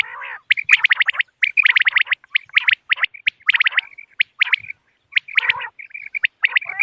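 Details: Common quail calls played as a lure for moonlit-night hunting, 3 November 2025: busy sequence of crisp, high clicking chirps in tight rapid groups, roughly one burst per second, with occasional harsher nasal notes.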